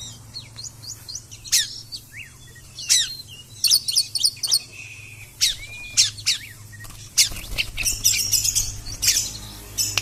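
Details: Oriental magpie-robin in 'konslet' song: loud, rapid bursts of sharp high chips, buzzy sweeps and short rising whistles, broken by brief pauses, with a faint steady low hum behind.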